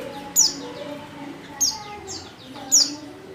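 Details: In-heat female white-eye calling a male: three sharp, very high chirps sliding downward, evenly spaced about a second apart, over soft low hum.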